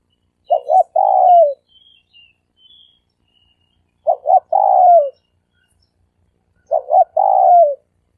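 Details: Decoy dove cooing, three-coo style: three similar phrases at roughly three-second intervals, each a clipped double note followed by a long descending coo, with a few faint high chirps in between.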